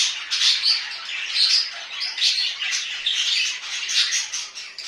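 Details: Home-kept budgerigars chatter in squeaky, grating bursts that rise and fall roughly once a second, a dense tangle of chirps and short whistles.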